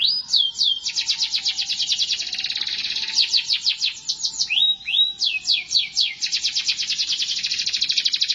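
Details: Canary song in an extended continuous session: fast, high trills of repeated sweeping notes, shifting between rolling series and slower downward-slurred syllables, with short pauses, over faint low background hum.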